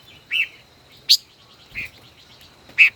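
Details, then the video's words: Five-colored bird in a song duel, caged decoy of more than a year: four quick notes, buzzy lower chirps alternating with a bright high chip, over soft rippling background notes. "Chim ngũ sắc hót đấu"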